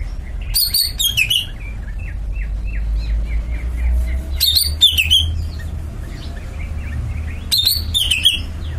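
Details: Greater green leafbird (cucak ijo) delivering three loud bursts of sharp, high chirps with down-slurred notes, about every three seconds, with fainter rapid chirping between them over steady low rumble.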